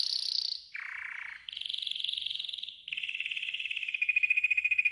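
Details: Training song from a yellow golden canary, in four connected trilled tours: high, dipping low and rolling, then mid-high, then steady fast pulses.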